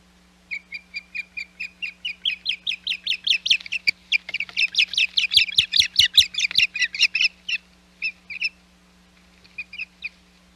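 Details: Osprey calling at a nest on Hog Island, recorded 21 May 2021: long series of sharp, piping whistled chirps repeated rapidly, building in intensity then breaking into scattered short bursts, over a steady low hum.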